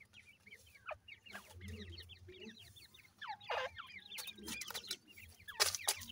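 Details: Grey francolins with new chicks in the new season. Many thin, high, quick chirps overlap in a steady chatter, broken by louder sharp clicks and bursts of noise.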